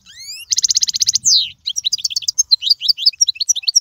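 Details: Goldfinch singing a tutor song for young birds: rising whistled notes, then a fast buzzy trill, a sweeping slur, and a run of rapid, bright twittering notes without a break.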